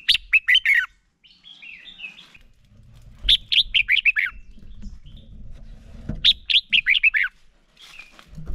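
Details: A male red-whiskered bulbul, recorded as a decoy singer to stimulate others, repeats three crisp phrases of rapid descending warbles about three seconds apart, with thin whistled notes and faint low noise between.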